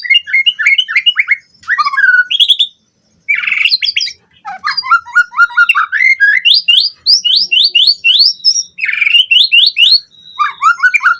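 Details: White-rumped shama song used as a fast lure to draw out song fills in captive birds: dense, varied phrases of sliding whistles and rapid chirps, with bright rising and falling notes in quick runs and brief pauses.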